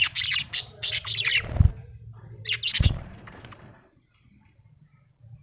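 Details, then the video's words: Budgerigar described as happy, chirping in quick bursts of high, scratchy notes over the first second, a low thump, then another short chattering burst before falling silent. "Happy budgie chirping sound"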